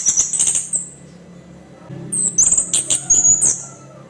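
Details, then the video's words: Rasping, high-pitched song from a kept orange-headed thrush, used to stir other birds: a run of clipped, grating notes, a pause of about a second, then a longer scratchy, chattering sequence. "Kasaran pembangkit emosi terampuh sepanjang sejarah, kicau Anis kembang kasar"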